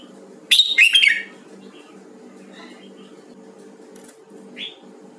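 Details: A Huế-type red-whiskered bulbul in voice training delivers a short, loud, scratchy phrase of fast chirps and warbles near the start, then a lone soft whistled note later against a quiet background hum.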